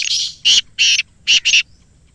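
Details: Five harsh, scratchy notes from a black francolin, grouped as one, two, then a rapid pair, delivered in about one and a half seconds. Played to captive birds to encourage them to begin calling.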